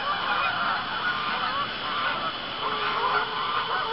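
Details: Flock of geese honking at dusk on a pond in Arkansas, October 1, while more geese arrive and settle; overlapping nasal calls from many birds, slightly softer and more distant in places.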